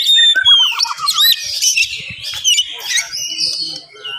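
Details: Morning song of an oriental magpie-robin, fast and tightly packed, used to provoke other magpie-robins. Bright whistles and a short descending rattle run into twisting high notes, with faint low murmurs beneath.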